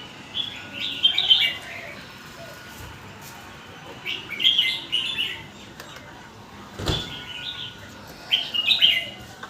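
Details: Song of a caged red-whiskered bulbul in a quick-linking style: bubbly whistled phrases of several notes, given in bursts roughly every three seconds, with a single sharp knock midway.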